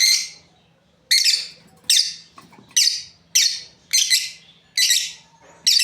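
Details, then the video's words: Lovebirds of a breeding pair giving harsh, high chirps about every half second after a short silent start, some doubled, with a faint hum below. "Beautiful lovebirds chirping sounds | Amazing breeding pair"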